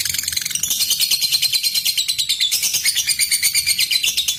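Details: Long ngekek chatter from a lovebird, used as a lure to stir other lovebirds to sing: a continuous, shrill, buzzy trill of fast, evenly pulsing notes with no pause.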